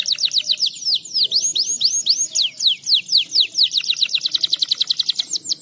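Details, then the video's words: Breeding-condition canary singing to prompt mating: a long, lively sequence of sharply downslurred notes, slower at first, then speeding into a rapid, tight trill of repeated high chips. "Masteran Burung Kenari Birahl Agar Kenari Anda Cepat Kawln"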